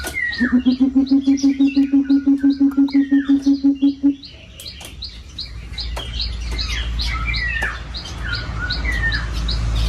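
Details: A coucal calls to its flock in an aviary with a deep, rhythmic series of about seventeen low hoots over four seconds. Afterward come many high chirps and whistles from other birds and a low rumble.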